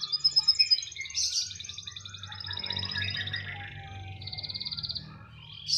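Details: Canary singing nonstop, said to keep singing anywhere it is placed: sharp high notes leading into long rapid rolling trills, a dense buzzy middle passage, then a clean fast trill, over a low steady hum.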